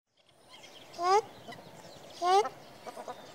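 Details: A ruddy shelduck (Tadorna ferruginea) gives two loud, nasal, honking calls about a second apart, each rich and slightly rising, over a quiet background with faint noise.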